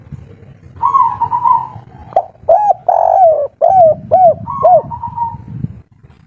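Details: Native wild spotted dove, excited, calling in the 'kuk 3' style: a drawn-out hooting note, then a series of quick arched coos roughly twice a second, ending with another long steady hoot.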